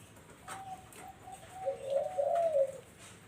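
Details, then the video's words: Barbary dove kept as a lure for zebra doves. A few short, soft, higher notes lead into a loud, low, rolling coo lasting about a second, with light clicks and faint hiss behind. "SUARA BURUNG PUTER BUAT PANCINGAN BURUNG PERKUTUT"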